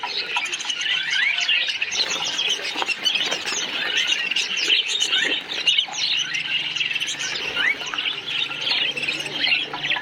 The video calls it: Kicau Suara Koloni Burung Parkit | Parakeet Colony Chirping Sounds